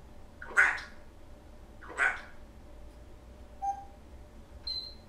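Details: Indoor pet African grey parrot that says phrases such as hi and goodbye: two rough, voice-like utterances about a second and a half apart, then two short pure whistled notes; low room hum.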